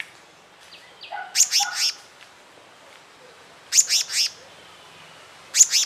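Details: Black-naped monarch pair, male and female, nesting: short groups of three harsh, scratchy, buzzing notes, repeated about every two seconds, with faint softer chirps between them.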